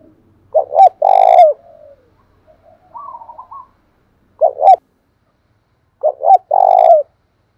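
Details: Spotted dove singing thổ pha style to provoke a newly caught dove into cooing. Loud low phrases of short hooked notes and long burry coos recur three times, one left incomplete, with a softer, higher, quavering call in between.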